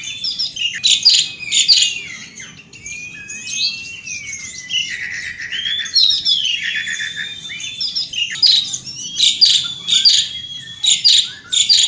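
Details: Continuous 'gacor ngeroll' song of an Asian pied starling outdoors: clusters of loud, harsh, clicky bursts alternate with looping whistled glides and warbled phrases across twelve seconds.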